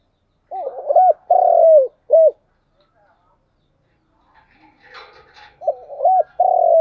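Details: Morning lure call of a decoy spotted dove meant to attract wild doves: one full soft cooing phrase, double coo, long falling croon, short coo, then a brief scratchy noise before the phrase begins again and cuts off.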